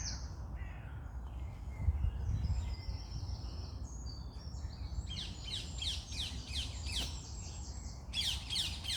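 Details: Morning birdsong: high whistles and warbles, then loud quick bursts of sharp downward-sweeping chirps repeating, over low rumbling background noise.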